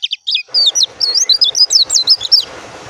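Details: Oriental white-eye (pleci dakun) delivering a rhythmic string of high, looping chirps, about five per second, over a steady broad background hiss.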